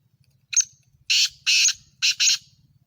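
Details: A Sindhi patha black francolin calls with a rasping five-part phrase, starting with a brief sharp note followed by drawn-out, grating notes that end in a rapid pair, over a low steady hum.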